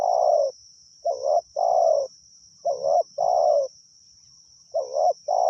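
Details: Spotted dove used as a decoy for luring wild doves, delivering steady paired coos, a quavering short note followed by a fuller falling coo, about every two seconds, with a persistent high electronic-like whine and faint low noise.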